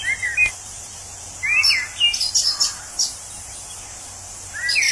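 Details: Wild orange-headed thrush, its voice compared to a tipsy man's babble, delivering varied whistled notes, some sliding downward, others high and thin, in a quick run of phrases over constant insect hiss.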